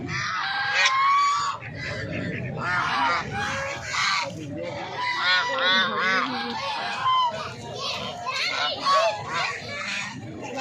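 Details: Several ducks at a zoo call together in loud, nasal honks and quacks that overlap and repeat with hardly a pause. Faint voices may sit underneath.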